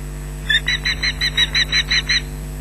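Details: Osprey at a Loch Garten nest, June 2012, shrieking at an intruder close by: a short burst of about nine evenly spaced, piercing high notes over a steady background hum from the nest camera.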